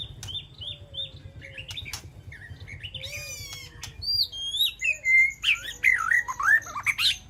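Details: White-rumped shama in an aviary calling to its flock: downslurred whistles, then a rich run of varied, warbling notes that jump between high and middle pitch, growing louder toward the end, over a low hum early on.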